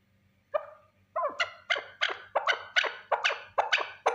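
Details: A single male partridge calling, one bird only with no repeated recording: after a first note, harsh, clucking notes follow in a steady series, about two per second, each starting sharp and fading, over a quiet background.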